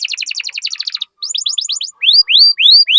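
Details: Canary singing as a lure for other canaries: rapid chattering trill, a brief pause, quicker rising chirps, then loud drawn-out upslurred whistles.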